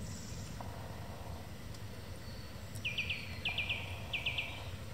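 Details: Song thrush singing during the evening: after a quiet start, rapid triplets of high, bright notes ring out three times, set against fairly loud low-pitched background rumble.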